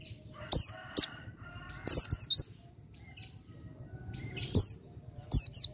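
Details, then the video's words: Dakun white-eye singing in ngalas style, nearly nembak: sharp high chirps, a quick twittered trio, then a pause before two more shrill downslurred notes. "PLECI DAKUN FULL NGALAS HAMPIR NEMBAK"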